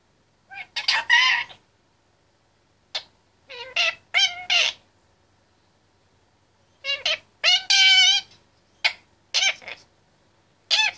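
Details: Indian ringneck parakeet, a 25-month-old male, talking in his cage: clusters of quick, uneven, voice-like syllables with sharp harsh bursts between short pauses.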